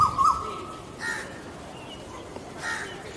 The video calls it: Asian koel (Eudynamys scolopaceus) sound | call | song